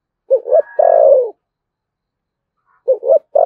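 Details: Spotted dove, Đồng Nai, Vietnam, 'thổ sấm' voice and 'thúc gù' style. One complete phrase of twin short hoots and a long descending coo, with another phrase starting after a two-second pause.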